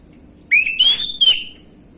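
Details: Orange-headed thrush, a young bird with gamblingan-style song, used as a lure to draw responses: a rising whistled note slides upward, levels off high, then breaks into a short falling final whistle.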